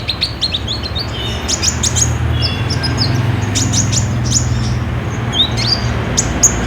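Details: Olive-backed sunbird 'gacor' song used as a lure to start caged birds singing, phone-recorded: rapid high chips and flicked notes in irregular bursts above a constant low rumble.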